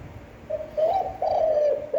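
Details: Spotted dove giving a standard-voiced coo used to stimulate decoy birds; a short soft note followed by two longer, mellow, slightly wavering coos on an even pitch.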